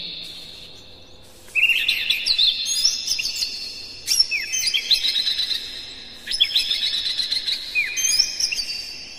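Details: Dense Oriental magpie-robin song for provoking other magpie-robins: after a quiet start, three long runs of rapid varied whistles and twitters, rich and continuous, each run lasting about two seconds.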